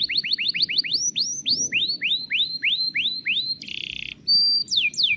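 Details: Canary in energetic gacor song, used as a lure to get other canaries singing; a quick series of about twenty rising whistled notes, then a short buzzy burst, a steady high whistle and fast descending sweeps over a faint low rumble.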